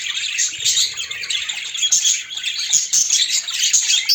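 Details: Budgerigars kept as pets in a colony give continuous high chirping and warbling chatter, many birds calling over one another without pause, with bright overlapping twitters throughout.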